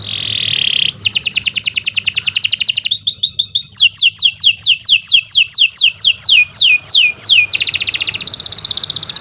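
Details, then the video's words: Canary singing long 'gacor' masteran song: an opening buzzy note, a fast rolling trill, then a steady run of falling whistled sweeps and another bright trill, over a soft low hum. "Kicau Burung Kenari"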